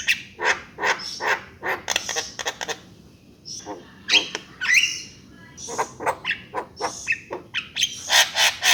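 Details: Javan myna song of rapid clicking notes, a rising whistled slur in the middle, then renewed harsh, chattering bursts repeated quickly to the end.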